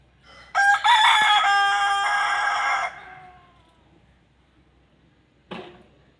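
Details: An Aseel or Desi rooster gives one loud, hoarse crow of about two and a half seconds, with a quick rising start and a long held ending, followed by a brief second sound.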